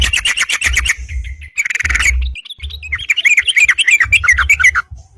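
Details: Yellow-vented bulbul in lively song, challenging rivals to fight, used as a lure: rapid chattering notes then a dense burst and bubbly warbled phrases, with low thumping in the background.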